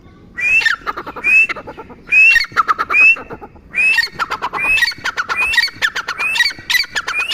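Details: Grey francolin calling in loud bouts of shrill, rising whistled notes, each phrase introduced by a quick chatter of clicks and repeated in rapid series, with short gaps between phrases.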